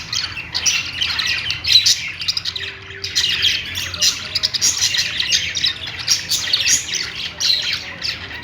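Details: Several pet budgerigars warble in a constant high chatter of clicks, chirps and scratchy squawks, with brief louder flurries and one short low hum in the background.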